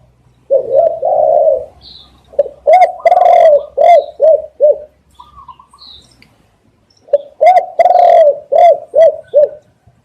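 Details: Spotted dove, a lure recording for catching doves: two full cooing phrases, each a long throaty coo followed by a run of shorter rolling coos, separated by a pause with faint chirps.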